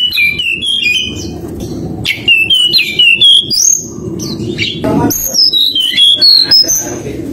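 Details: Whistled nyuling song of a forktail (tledekan gunung) used to provoke a rival: strings of pure, wavering notes that step and slur between phrases, above continuous low music.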